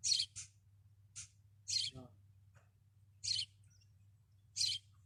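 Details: Desert sparrow singing from a caravan roof: a quick pair of high chirps, then single bright chirps spaced unevenly, a short lower rasp midway, and a faint continuous low hum.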